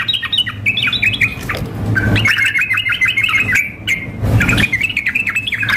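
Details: Sooty-headed bulbul, a female calling a male, mixed with an energetic singing male in a simulated contest recording: rapid chattering, bubbly notes in bursts with brief pauses, over a steady low hum and occasional thumps.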